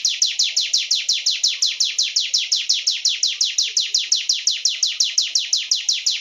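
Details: Sunda warbler singing a sustained, evenly paced trill of high, piercing downslurred notes, about five each second, loud and clear with a quiet background.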